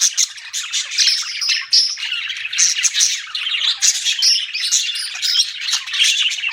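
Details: Dense budgerigar twittering, a steady rush of high chirps, squawks and thin whistles from several birds at once.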